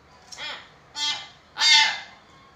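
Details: Common hill myna giving three harsh, rasping, broadband squawks about half a second apart, each louder than the last, used to prompt lazy mynas to call.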